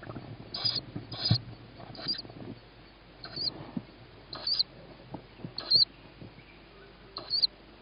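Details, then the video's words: Young tawny owl begging at dusk on 21 May 2017 around feeding time, after hearing its mother and a sibling receiving food on a roof. Short hissing high calls come in irregular bursts amid scraping and rustling noises. "Tawny Owl-Small hears Mom,first food for sib on roof,then feeding"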